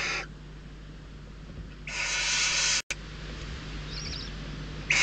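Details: Barn owl nestlings in the Ebro Delta, Spain, begging after days of food shortage and fighting over prey; a long rasping hiss lasting about a second, a brief break, then faint higher chittering and the start of another screech.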